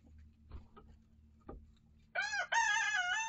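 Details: Chickens in a coop and run, a mixed flock of year-old Rhode Island Red, Barred Plymouth Rock and Light Brahma hens with young chicks of several breeds. Soft knocks and scuffles, then two loud, drawn-out, harmonic crow-like calls over a steady low hum.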